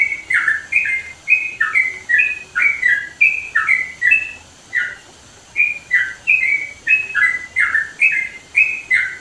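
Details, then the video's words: Sooty-headed bulbul in East Java's mountains, singing loudly and energetically. It gives a steady stream of short, bubbly, whistled phrases that rise and fall. There is one brief pause midway, over a light background hiss. "TRUCUKAN GACOR SUARA LANTANG"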